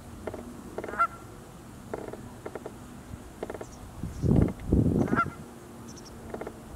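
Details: Cackling geese, possibly a juvenile Aleutian cackling goose, recorded on 18 December 2019, give short, high, yelping honks in irregular bursts, with a few louder low-pitched rumbling sounds partway through.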